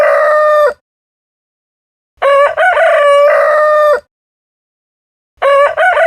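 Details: Morning crowing of a rooster: the tail of one crow, then a complete long cock-a-doodle-doo, and the start of another, each loud and harsh, with clean silence between.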